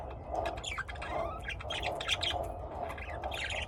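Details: Home-kept lovebirds in Austin, Texas, USA, make rapid, scratchy squawks and twittering chirps, densely packed and slightly rising at times, over a continuous low hum.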